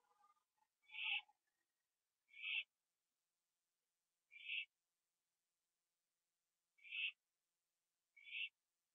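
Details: Owl at night, 11:15 PM on 21 September 2011, finishing a gopher on a porch before flying to a tree. Short harsh hissing rasps, five bursts spaced one to two seconds apart, with faint lower murmuring at the start.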